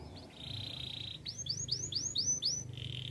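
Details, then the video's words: Canary singing a training song: a steady buzzy high trill, then a run of quick swooping notes that rise and fall, ending in another buzzing trill, over a faint low hum. "Canary birds sounds!! The best canary training song"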